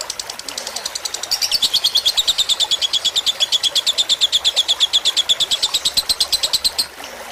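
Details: Lovebird fighter-style tutor song for training birds to sing long, set with trickling water meant to relax them; a long, shrill, rapidly pulsed chattering trill builds after a second and runs steadily to near the end.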